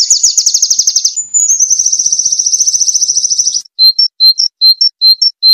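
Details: White-eye (pleci) song used as an easy-to-copy lesson for canaries: a rapid buzzy high trill sustained for over three seconds, shifting pitch slightly midway, followed by short clipped high notes spaced by brief silences.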